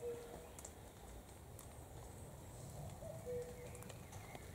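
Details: A distant common cuckoo (Cuculus canorus) sings a soft, falling two-note cuck-oo, once near the start and again about three seconds later, over a steady low rumble.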